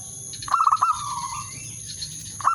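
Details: Zebra dove calling to lure a rival and arouse it: one phrase of rapid, clipped bubbling notes that slide into a long, even, fading coo, with the start of another phrase at the end and a constant high-pitched whine behind.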